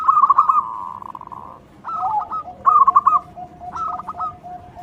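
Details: Loud local zebra dove song used to draw out other doves: a bubbling trilled coo drawn into a held note, followed by two shorter staccato coo phrases, over a faint steady background hum.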